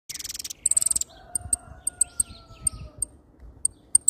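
A hooded siskin gives a fast buzzy trill, then a run of thin, very high twittering notes and scattered sharp chips, over a faint steady hum.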